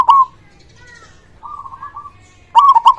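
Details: Loud-voiced local zebra dove singing as a prompt for silent doves: a loud cooing note, soft distant replies from other doves, then a bright rapid run of stuttering, bubbling coos.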